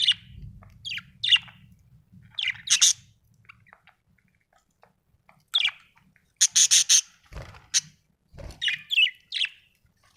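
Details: Budgies give sharp, high chirps and squeaky trills in irregular bursts separated by quiet gaps, with a few low thumps and a faint background hum.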